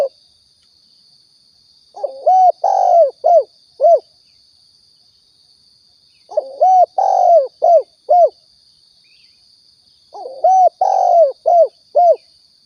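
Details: Spotted dove in a Riau hunting lure recording: three full coo phrases about four seconds apart, each a blurred double coo, a long cooo, then two or three short separate coos, over a faint steady high whine.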